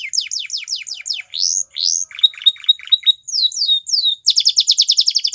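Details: Belgian canary singing as a training model for canaries: a run of quick falling whistled slurs, a rising note, choppy repeated chips, descending sweeps, then a rapid, even, rattling trill.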